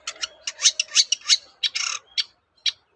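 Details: Long-tailed shrike singing to provoke answers from other shrikes: rapid, scratchy rasping notes, several per second, with one longer grating phrase, fading into quieter clicks near the end over a faint steady hum.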